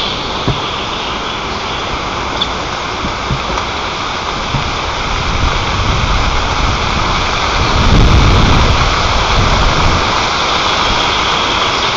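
Steady rushing noise like rain or wind, with a low rumble swelling around the eighth second and no clear animal voice.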